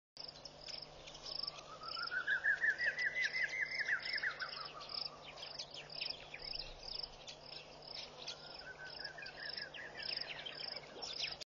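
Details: Black Cuckoo, unseen, giving one of its two songs in the morning at Pete's Pond, Mashatu Game Reserve, Botswana, 17 January 2014: rapid climbing whistled notes that tail off, then a shorter rising burst, over crickets.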